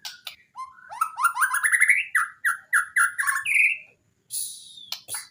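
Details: White-rumped shama training song for birds reluctant to sing: clicks lead into a climbing run of rich repeated whistles about four per second, a husky note, then harsh rasping bursts.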